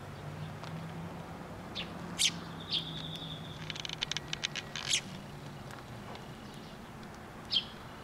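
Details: Sparrows coming close to be fed at a Tenmangu shrine on 9 October 2023: scattered sharp chirps and a quick run of clicky chatter notes, with a steady thin whistled tone in the middle and a low hum behind.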